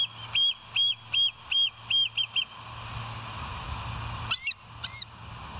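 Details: Bald eagle at West End, caught by a live nature camera early on the morning of 7 July 2023, 06:21; six or seven quick, shrill piping notes in a row, a pause with low hum, then two sharper squealing notes.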